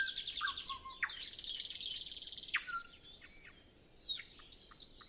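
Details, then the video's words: Pre-sunrise nightingale on a windless morning, alone before other birds start: rapid high chatter, a falling whistle, a long buzzy rasp and a clear downslurred note, followed by scattered high chips. "Nightingale Sound Library"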